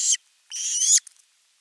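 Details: Osprey calling for fish at nest camera 3, 10 August 2021: a short harsh screech, then a drawn-out, rasping scream lasting about half a second, followed by faint clicks.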